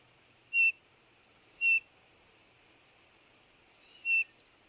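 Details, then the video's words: Eurasian bullfinch giving three short, clear piping whistles spaced about a second or more apart, with faint, buzzy high trills drifting in between against a quiet background. "bullfinch pyrrhula sound bird"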